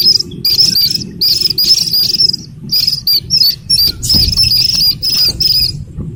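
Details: Piercing high peeps from a Slaty-legged crake chick in choppy bursts, some notes slightly trilled, separated by brief silences, with soft low rumbling underneath.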